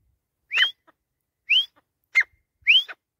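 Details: Grey francolin (teetar) call, rising whistled notes alternating with short harsh clicky notes, four phrases spaced about a second apart against a quiet background.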